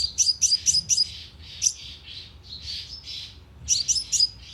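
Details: Sunbird lure call from a loudspeaker: a burst of four sharp high chips, then softer, blurred lower notes, ending with another quick group of bright chips.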